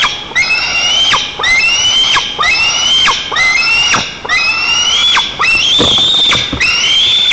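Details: White-tailed eagle chicks at a nest in Nizhnyaya Kama National Park, Tatarstan, 5 August 2024, clamour as their father arrives with a fish. Loud, shrill whistles rise sharply and then level off, repeated roughly once a second.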